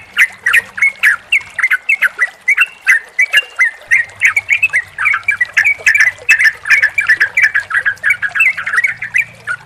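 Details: Yellow-vented Bulbul song meant to coax a stressed, non-singing bird: rapid, jumbled whistled notes pouring out without pause, steady in pitch, dotted with clicks, and a faint low hum from about the midpoint on.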